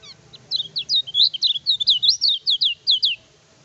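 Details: Kecial kuning (lemon-bellied white-eye) singing energetically, a song used for tutoring and provoking rivals: a fast string of high, sweeping whistled notes, some rising and some falling, delivered in quick succession over faint low background rumble.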